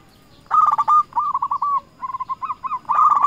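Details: Zebra dove of local stock calling rivals, used to lure others into replying; after a quiet start come rolling trilled coos in three or four phrases, soft and bubbling.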